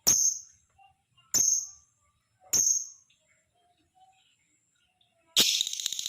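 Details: Lovebird chattering used as a lure to set other lovebirds calling: three sharp, high, piercing notes about a second apart, each dropping briefly in pitch, followed by a loud, harsh, rattling chatter that continues to the end.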